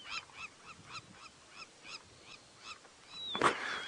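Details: A crowned lapwing (crowned plover) flies past in the Masai Mara grasslands on a cool, clear morning at sunrise, 1 June 2017, then lands. It gives harsh, grating notes about three a second, ending with a thin whistle and a brief burst of noise.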